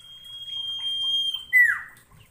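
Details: Common iora song, used to train ioras and provoke quiet ones into singing: a long, steady, high whistle held for about a second and a half, then a sharp downslurred note, over faint dripping water.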